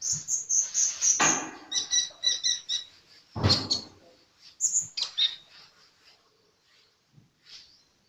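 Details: Sunbird singing actively: a fast series of very high thin notes, then a burst of buzzy chips and scattered high whistles that fade into quieter, sparse calls.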